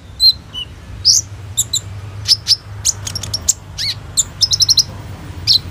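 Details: Varied sunbird song serving as a lure to train young sunbirds, phone recording: sharp high chirps, a few sliding whistles and a short quick series of chips, delivered irregularly.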